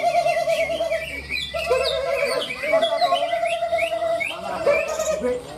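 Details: Competition singing by caged greater green leafbirds in Malinau, North Kalimantan, Indonesia: rapid chattering phrases and short bright whistles repeated over sustained lower notes, while a crowd chats in the background.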